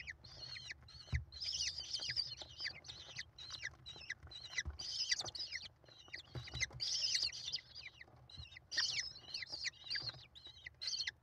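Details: Five hungry American kestrel chicks crowd their mother at feeding time in a nest box on a live camera, 28 May 2021; dense overlapping shrill squeals and chittering, with soft thumps below.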